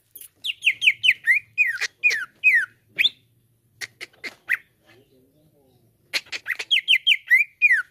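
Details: Leafbird (cucak ijo) lure song for a caged bird: loud falling whistled slurs in quick succession, scattered sharp chips, a brief quiet gap, then another run of descending whistles and steady notes.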